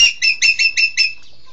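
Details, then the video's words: Short burst of six harsh, grating squawks from a green magpie, called engkek keling locally, delivered quickly and fading into silence. "Engkek keling"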